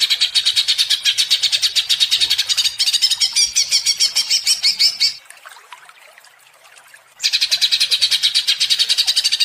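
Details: Greater green leafbird singing agitated and nonstop in the ngentrok style, a lure to rouse another bird: dense, fast run of high buzzy notes, a two-second pause, then the rapid chatter resumes.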